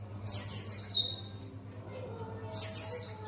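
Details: Pleci buxtoni learning ngalas song; a loud, high twittering phrase falling in pitch, a few softer even whistles, then another bright descending burst, low hum in the background.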